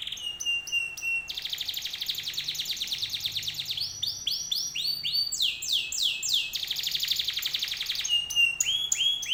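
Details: Canary lure song aimed at getting other canaries to answer: loud, varied tours of rapid rattles, buzzy trills and repeated swooping whistled notes, changing every second or two without pause.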